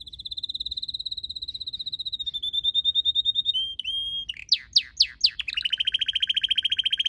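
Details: Red canary singing in a garden among purple azaleas at the end of March: a long high trill stepping lower, a pause, loud down-slurred sweeps, then a fast rolling buzzy trill.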